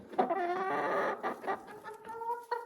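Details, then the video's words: Loud talk from young Ameraucana hens, four months old, nearing their first egg: a long, harsh, wavering cackle, then several separate drawn-out nasal notes and a final sharp cluck. "the hens have started to talk very loudly ,"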